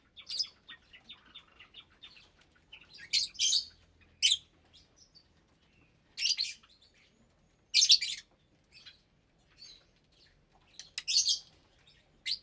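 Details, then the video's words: Lovebirds eating together in an aviary, January 2023, a mixed flock of about 25 parblue, euwing, opaline, lutino and albino birds with chicks. Harsh, shrieking squawks come in bursts every second or two, with faint twittering between them. "Lovebird Meal Time"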